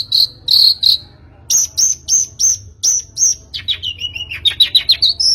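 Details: Long-tailed shrike recording used as a lure to get a bird singing: three clear high whistles, a series of crisp evenly spaced high notes, then a tumbling, descending chatter ending in a rising note.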